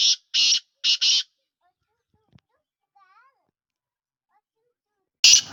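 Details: Black francolin of the Sindhi kind, called kala teetar: four quick grating, rasping notes in pairs, then a long quiet stretch with a faint soft sound, ending with one more harsh burst.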